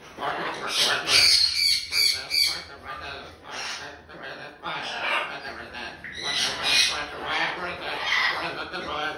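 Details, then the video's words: A rescued hyacinth macaw at a parrot sanctuary chatters indoors in loud, uneven, harsh raspy squawks and speech-like bursts, about two or three a second. "Hyacinth Macaw Talking like Crazy"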